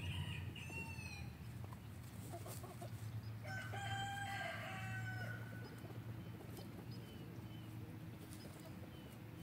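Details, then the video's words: F3 Olive Egger rooster from a free-range backyard flock crowing: a harmonic, drawn-out crow that rises then holds for about a second and a half mid-clip, over steady low rumbling background noise. "Olive Egger Rooster Crowing"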